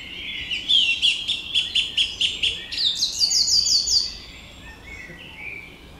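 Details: Song thrush song: a clear phrase of about eight rapid repeated whistled notes, then a higher repeated trill-like phrase, each motif repeated several times before fading.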